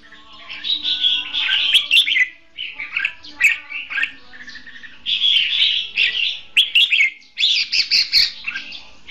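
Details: A Red-whiskered bulbul gives bright, chirpy, warbled phrases in quick bursts about a second apart, used as a contest-singing decoy for trapping bulbuls, with a faint steady low hum underneath.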